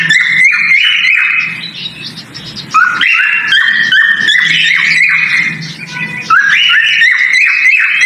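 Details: Male cockatiel whistling its breeding-season mating call in bouncy phrases of rising, stepped notes, with quieter breaks between the three main bursts.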